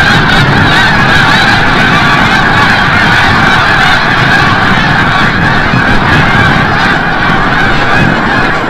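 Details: Large flock of snow geese heading in from the bay at sunset over Forsythe National Wildlife Refuge, Oceanville, New Jersey; rapid, overlapping yelping honks form a dense, continuous chorus.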